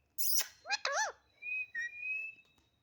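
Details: Talkative pet parrot gives a loud harsh burst, then two quick wavering voice-like syllables, followed by a long steady whistled note with a brief dip partway through, in a quiet room.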